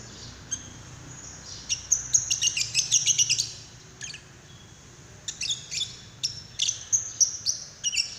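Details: Lovebird call, labelled paud, played to prompt another lovebird to sing; a fast run of sharp high chirps, a short lull, then further quick bursts of shrill tweets.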